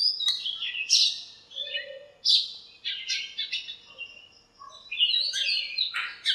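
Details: Birds in a lemon tree behind a house, chirping and scuffling on a sunny morning: bursts of high, sharp notes come roughly every second, with a brief quiet spell before the chatter swells again.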